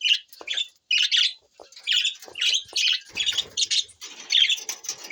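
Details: Budgies, parrots, June 20, 2024, keep up a steady stream of short chirpy squawks about twice a second, ending in a continuous buzzy warble with light rustling beneath.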